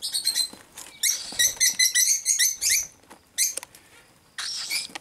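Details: Several cockatiels giving fast, bright chirping notes in an uneven series of around a dozen calls, then scattered sharp chips and a final longer harsh squawk.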